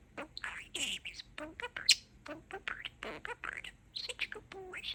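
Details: Pet budgerigar talking: rapid chattering mimicry of human phrases, a quick run of short squeaky, buzzy syllables with speech-like rhythm, broken by brief pauses and one sharp whistle.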